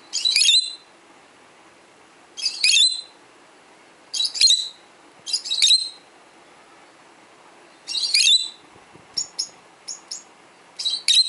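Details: Indoor 12-year-old pet peach-faced lovebird calling toward other lovebirds heard on playback; six piercing, high squeaky chirps spaced roughly every one to two seconds, ending with a few quick clipped notes.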